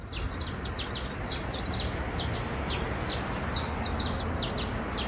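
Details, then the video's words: Trilling song from a criollo basto canary, dense runs of quick high descending notes in steady bursts with little pause, low hum underneath. "Canario criollo basto trinando"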